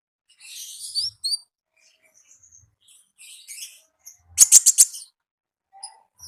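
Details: Wild konin in lively full song: scattered high twittering notes, then a quick burst of sharp rapid clicking chirps, followed by soft scattered notes.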